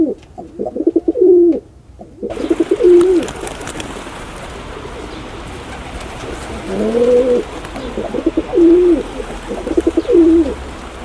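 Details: Pigeon giving repeated low, rolling coos, a few short phrases then a pause and more, over a noisy hiss that rises partway through; some faint rustling in the background.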